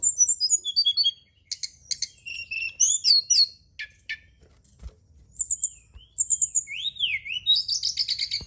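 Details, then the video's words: Brown-chested jungle flycatcher song played at night as a lure to get other birds singing: high whistled notes falling in steps, sharp chirps, then rising and falling slurred whistles and a fast buzzy series near the end. "Pancingan & Terapi Burung SRDC dimalam hari biar tambah GACOR & CEPAT NGEPLONG"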